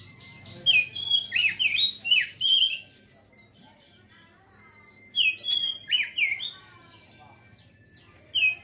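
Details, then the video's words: Oriental magpie-robin (kacer) singing in the ngeriwik style: bursts of rapid, slurred whistled and chattering notes, a series from about 0.7 to 2.7 seconds, another around 5 to 6.5 seconds, a brief final phrase at the end, with low background hum. "kacer ngeriwik langsung ngeplong seketika"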